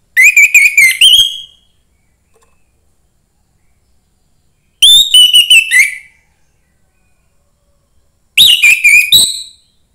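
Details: Young forest orange-headed thrush singing to stimulate other thrushes. Three loud phrases of rapid, clear whistled notes, each about a second long with sliding and warbled elements, come roughly every four seconds with silence between.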